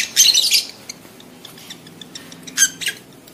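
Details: Lovebird in mating excitement giving a long shrill chattering screech, then quieter scattered ticks and a second harsh burst, used as a lure to make adult lovebirds breed.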